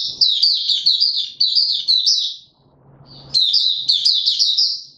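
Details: White-eye in a cage, pushed on form, pours out two long runs of fast high warbled twittering separated by a short pause with low murmuring.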